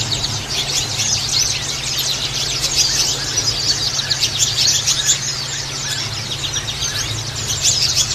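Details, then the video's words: White-eye song used as a lure for attracting birds: a dense, continuous stream of high, thin, rapid twittering and chirps, steady throughout, over a low droning hum. "Burung pancingan pleci"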